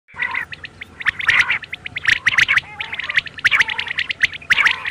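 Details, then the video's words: Quail calls meant for night use: dense bursts of sharp, high chirps and squawks from several birds, overlapping in irregular clusters about once a second, with a faint steady hum underneath. "بٹیروں کی بولی رات کے لیے"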